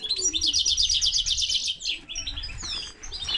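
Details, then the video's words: Common linnet x canary hybrid singing: rapid trills of repeated high notes, roughly three per second, sweeping between high and very high pitch, followed by scattered twittering phrases. "Mixto de pardillo y canaria - هجين طائر التفاحي مع الكنار"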